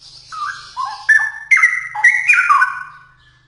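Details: Loud, bubbling straw-headed bulbul song: one continuous phrase of liquid, warbled notes jumping between low and high pitches, building in strength and then dying away.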